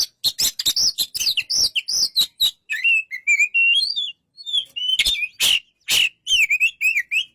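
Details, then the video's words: White-rumped shama pours out quick chips, then a run of wavering whistles, a pause, and further sharp bursts and trills. "burung kacer"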